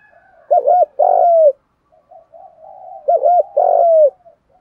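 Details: Decoy spotted dove calling to stir up wild doves and provoke fighting: two coo phrases, each a quick wavering double note followed by a longer, slightly falling hum, with soft low murmurs between phrases.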